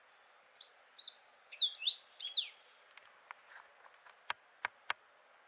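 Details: Slate-colored fox sparrow in the Black Rock Range, Humboldt County, Nevada, recorded 7/05/19. A faint, brief phrase of slurred whistled notes sweeps up and down, followed by a few soft chips and three sharp clicks amid a steady high hiss.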